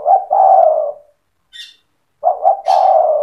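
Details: A spotted dove sings persistently in the cetretan style to provoke rival doves: two loud coo phrases of short clipped notes leading into a long sustained coo, separated by a brief high chirp.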